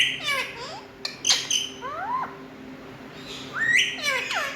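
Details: A talking Indian ringneck parrot gives harsh rising squawks and bending whistled notes in short bouts separated by quieter pauses, with a steady low hum in the background.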